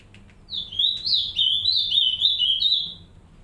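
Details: In an aviary, a green-winged saltator pair tends three chicks; a high chattering twitter with quick up-and-down wavering notes lasts about two and a half seconds, then fades to quiet.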